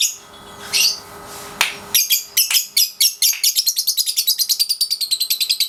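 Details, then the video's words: Pasjo lovebird aged 3.5 months at daily training: a few isolated high chirps, then harsh repeated notes speeding into a continuous ngekek chatter of rapid rasping pulses, roughly two to three per second. "Love Bird Pasjo si Vicy Latian Ngekek Harian usia 3,5 bulan"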